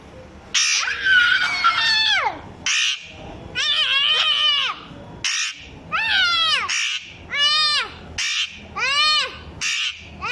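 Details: Copying a small child's voice, a parrot produces long wavering, arched harmonic cries that bend up then down, separated by short harsh squawks, in a loud rhythmic series.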